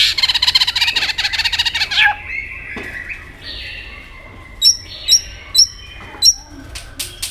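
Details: White-rumped shama in competitive singing, flicking its tail: two seconds of dense, fast, harsh chattering notes, then a quiet pause and a few sharp, high, clipped notes spaced about half a second apart, with a final click.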